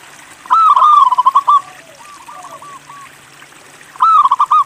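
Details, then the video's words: Local zebra dove, a vigorous songster used to coax other doves to sing: a rapid trilled cooing phrase, a softer distant reply, then the loud phrase starting again. "MASTERAN PERKUTUT LOKAL GACOR UNTUK MACET BUNYI LANGSUNG NYAUT"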